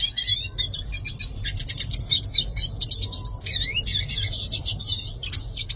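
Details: Yellow-faced siskin song: an unbroken, high, chattering stream of buzzy trills and fast chirps with occasional slurred whistles, over a low steady hum.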